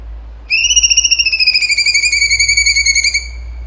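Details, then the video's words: Cucak cungkok giving its 'tembakan' song: a steady, rapid rattling trill of evenly spaced pulses for nearly three seconds, with a gentle downward slide. "CUNGKO GACOR TEMBAKAN HOT SUPER TEJEM"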